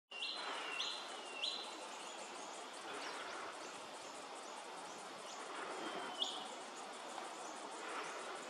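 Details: Red-browed finch (Neochmia temporalis) calling at Hervey Bay, Queensland: thin, high, slightly rising seep notes, three in quick succession then a few scattered ones, over a steady high insect buzz and broad outdoor hiss.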